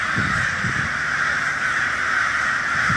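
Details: Great murder of crows in full cry, a thick unbroken layer of coarse caws, with a couple of soft low thuds at the start and end.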